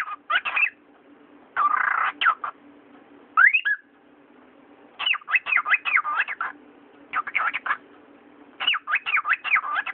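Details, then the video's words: Pet cockatiel mixing speech and whistles: chattered syllables, a harsh noisy burst, a rising whistle, then long runs of rhythmic looping word-like syllables, with a low steady hum throughout. "Говорящий попугай Яша, корелла"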